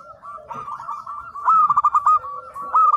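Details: Local zebra dove singing actively as a training master: a soft cooing lead-in, then loud, bubbling, rolled coo notes in a fast even series, rising slightly, ending in clipped repeated coos.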